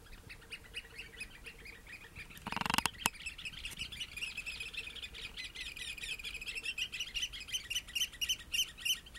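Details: Oystercatchers, three birds foraging among seaweed at low tide in early March 2016, give a steady stream of shrill piping calls, with a brief loud knock or clatter near the start.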